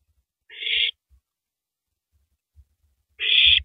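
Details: An owl at 3:33 AM on 9 April 2012, tearing apart a big rabbit before swallowing it, gives two rasping, hiss-like calls amid faint thumping and rustling.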